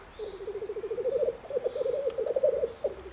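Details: Male black grouse during spring courtship in the Bavarian Forest, Germany, producing one steady low, rapidly pulsed bubbling phrase that swells slightly and runs nearly unbroken.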